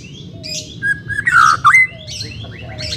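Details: White-rumped shama singing, meant to train a reluctant bird: a short burst of loud whistled slurs, one dipping then rising sharply, among softer buzzy notes.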